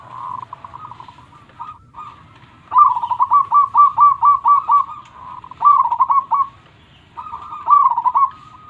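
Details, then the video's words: Local Indonesian zebra dove in full loud song, played to lift a bird's spirit and get idle perkutut singing and cooing, or to lure wild ones: rapid runs of short bright notes in bursts of about eight, between softer rolling coos. "Perkutut Lokal Gacor Suara Super besar"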